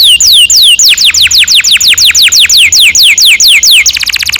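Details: Long rolling canary song meant as a lure for young canaries: loud, clear falling whistles about four per second, each dropping steeply, closing with a fast, tight trill.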